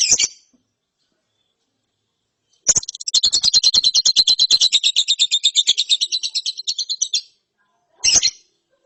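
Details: Lovebird chick in ngeriwik style after therapy: a harsh high note, then a long rapid rattling trill of about four seconds, closing with another rough burst.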